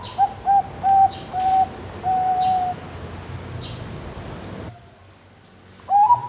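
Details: Captive-bred zebra dove from a bird farm in Kediri, East Java, Indonesia, hatched 21 May 2023, singing its anggungan style: a run of clear, mellow cooing notes, short at first, then longer held ones, another phrase starting near the end.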